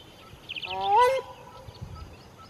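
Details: A grey crowned crane forages among reeds along the Haga Haga river in a conservancy in the Eastern Cape, South Africa. It gives one loud, nasal, booming honk of just over half a second, rising slightly, with faint high chirps from a smaller bird just before.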